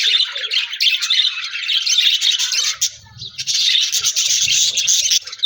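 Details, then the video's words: Budgerigar flock in an aviary, with a new companion, chattering in continuous chirps and squawky warbles, a short lull midway before the dense chatter resumes. "Budigs Sounds Chirping with new Budigs Friend"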